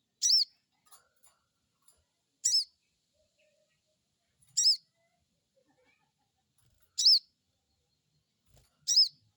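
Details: Crested jay crecet calls, a stimulation lure to make a newly kept bird start calling: five harsh, high-pitched bursts with bent harmonic bands, repeated roughly every two to two and a half seconds, a few faint ticks between.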